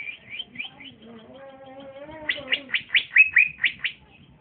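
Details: Young trotolan male green leafbird (cucak ijo), said to sing strongly and bravely when paired. Soft high chirps over a low buzzy harmonic tone, then a loud run of sharp rising whistled notes.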